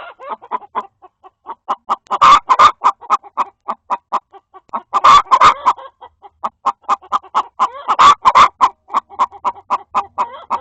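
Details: Indoor coop recording of hens, one trying to lay an egg while another complains at her: steady runs of short clucks with three loud, raspy squawk bursts rising above the chatter.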